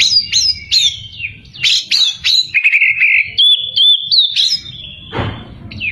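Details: Energetic Oriental magpie-robin song aimed at provoking rivals, a rapid run of high upslurred whistles followed by a buzzy held note and long steady whistled tones, ending with a brief harsh sound.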